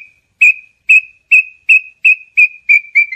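A small-billed tinamou sings a series of eight short, high whistled notes that come steadily faster, the last ones dipping slightly. Nothing else is heard.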